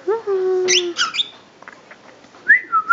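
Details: Senegal parrot saying its own name, Kabi, for the first time: a short voiced, slightly falling word, then clipped syllables and a bright rising-and-dipping whistle.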